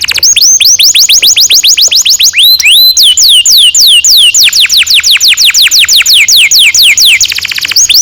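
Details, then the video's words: Canary singing a long roll, played as a lure for training young canaries: an unbroken run of quick descending whistles, a rising swoop near the middle, and a rapid buzzy trill near the end. "Kenari gacor NGEROL PANJANG cocok untuk PANCINGAN KENARI PAUD"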